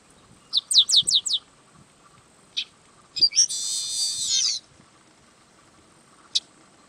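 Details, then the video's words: Song of the yellow-winged blackbird: four quick high downslurred notes, a single chip, then a long harsh buzzy trill lasting about a second, followed by one last sharp note. "Canto do Sargento Agelasticus Thilius"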